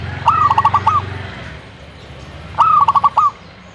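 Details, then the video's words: Zebra dove singing two identical phrases about two seconds apart. Each is a clear opening coo followed by four or five rapid, bouncing pulses and a closing rolled note. A low droning hum runs under the first phrase. "burung perkutut"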